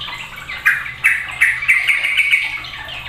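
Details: Sooty-headed bulbul in a noisy session that stirs other birds into calling: bubbly, chattering notes repeated several times a second over about two seconds, with faint background noise.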